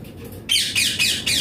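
A ringneck parrot gives four harsh, raspy bursts about a quarter-second apart, shrill and scratchy, after a brief quiet start in a small room.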